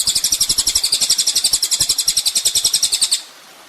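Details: High, fast trill of a ninja sunbird on a songbird training master, evenly pulsed thin notes for about three seconds, then stopping abruptly into quiet.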